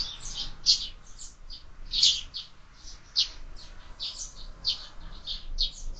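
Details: Sparrows visiting a feeder fixed to a window, fed all year round, keep up a busy chirping, louder notes mixed with fainter ones from other birds, in an irregular rhythm.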